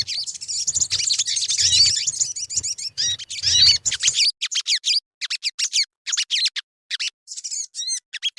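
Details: Lure song of the crimson sunbird (sogon) for making birds sing: dense, high twittering chatter that breaks up into separate sharp, high chips spaced about half a second apart, some rising and hooked.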